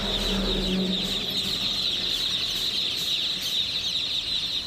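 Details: Chicken chicks cheep together in a shrill, continuous mass of high peeps, with a short low hum at the start.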